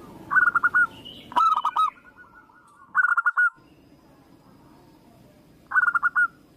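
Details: Local zebra dove song: short bursts of four to five quick, staccato cooing notes, each burst rising slightly then dropping, heard four times at irregular gaps. A sharp click and a brief higher chirp come near the second burst, over a low steady hum.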